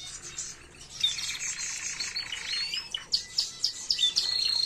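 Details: Canary singing a model song for training young birds, 2022; softer, dense warbling with scattered bright chirps, ending in a steady trill.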